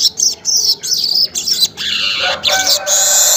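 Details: Weaver song recorded early morning, around 5:40, as a lure sound: loud buzzy, hissing chatter in short bursts separated by brief gaps, ending in a longer wheezy sizzling phrase.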